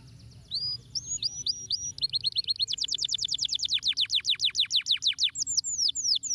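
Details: Canary singing to encourage lazy canaries to sing: a few hooked whistles, then a long rapid series of sharply descending chirps repeated several times a second, closing with sweeping high whistles.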